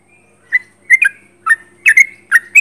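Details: Sooty-headed bulbul singing actively at close range: short, bright, liquid whistled notes in clusters of one or two, repeated about every half second, with a faint steady hum underneath.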